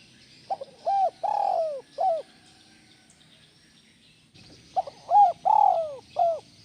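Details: Cooing of a spotted dove, used as sound therapy to set other doves calling: two phrases of soft hoots, each with a brief rising note, a long falling coo and a clipped ending note, split by a quiet pause.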